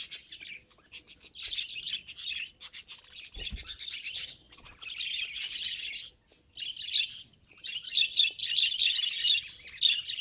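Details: Domestic budgerigar chattering steadily, mixing rapid twittering chirps, scratchy buzzes and warbled phrases in runs of a second or two, separated by brief silences.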